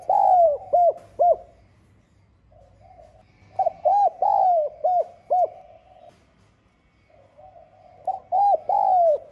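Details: Cooing spotted dove, 'giọng son' voice, calling to provoke rivals: three series of mellow, hooting coos, each mixing short clipped notes with a longer sliding one, with pauses of about two seconds between series.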